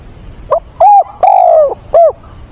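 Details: Spotted dove used as a decoy, calling in a rainstorm on 28 October: a brief soft lead-in note, then three loud throaty coos, short, long and drawn-out, then short, with a faint murmur behind.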